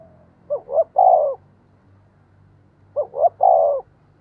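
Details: Decoy spotted dove calling to provoke wild birds: two mellow cooing phrases about two and a half seconds apart, each a pair of short rising notes then a long steady coo, over a faint low hum.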